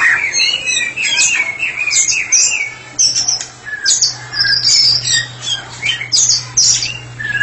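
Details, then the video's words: White-rumped shama, a caged therapy bird singing openly, mixing harsh squawks with looping whistles and high sharp notes in bursts, a low mechanical hum running through much of it. "Murai batu spesialis terapi sedang ngeplong"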